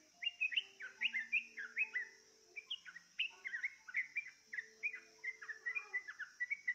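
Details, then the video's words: Yellow-vented bulbul drawn into song by a lure: a continuous chattering stream of bubbly, rising and falling whistled notes delivered in fast clusters, with a steady shrill insect background. "Dengan pancingan ini, dijamin trucukmu gak takut tapi malah ikut bunyi"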